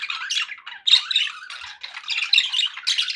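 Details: Budgerigars, pet parakeets, calling to keep other pet budgies company: dense, scratchy chirps and warbling squawks in quick bursts, with short pauses between phrases.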